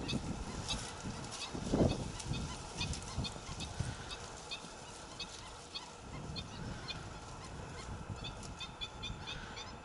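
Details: Young black-winged stilts, Arucas, Gran Canaria, 28 June 2018: thin high calls repeated irregularly throughout, a cluster of brighter notes toward the end, with a thump early on and persistent low wind noise beneath.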